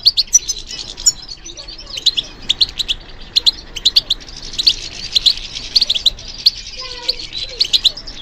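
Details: European goldfinch song in answer to stimulation: irregular, rapid high chirps about a half second apart, then a denser, liquid twittering passage with a few faint sliding notes near the end.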